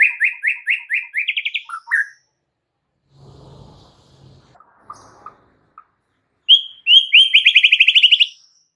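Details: White-rumped shama song: a loud opening series of five or six clear, repeated whistled notes running into a quick trill, then a quiet gap with faint low rustling and soft notes, then a final rapid, rich whistled trill.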